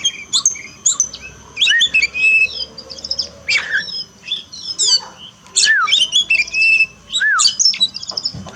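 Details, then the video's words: Oriental magpie-robin kept as a pet, song played as therapy for a bird that sings little after moulting. Loud, rich phrases of clear whistles, falling slurred notes and harsh buzzy chatter, separated by short pauses. "terapi kacer malas bunyi turun mental pasca mabung paling efektif"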